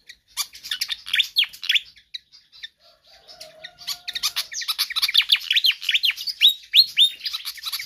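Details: Pied fantail singing energetically and persistently, kept as a tutor or lure track for other birds; sharp high chirps, then a brief low tone, then a long run of rapid slurred notes that repeat about three times a second.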